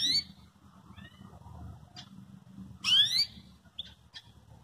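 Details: A Belgian canary calls, meant to provoke song in another canary: a sharp falling tweet at the start, a faint short note, then a loud harsh descending call followed by small chips, over a steady low hum.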